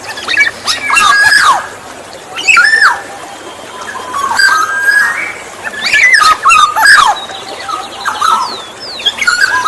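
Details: Black-naped oriole recorded to lure other orioles: clear fluty whistles that slide down around the middle range, mixed with harsh, nasal, broadband squawks in bursts of about a second, with quiet gaps between phrases.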